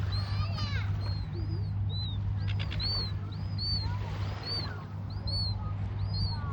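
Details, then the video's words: Several Australian seagulls squeal in sharp, arched high calls, some overlapping, against a constant low droning hum. "Bossy seagulls"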